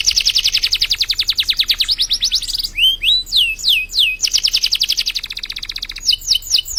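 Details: Canary song used as a master recording for training other birds: a rapid, steady high trill, then a few slower down-slurred whistled notes, then the fast trill again, with sharp upswept notes at the end.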